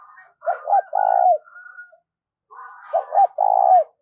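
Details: Decoy spotted dove coaxing wild birds with paired phrases, each a soft lead-in, two quick low notes and a sustained deep coo, with higher rasping chatter layered over the top.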